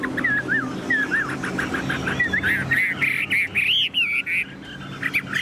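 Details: Tame caged Chinese hwamei singing: clear whistled phrases, some rising and some falling, repeated in quick varied bursts that grow louder and more rapid toward the end, over a steady low background hum.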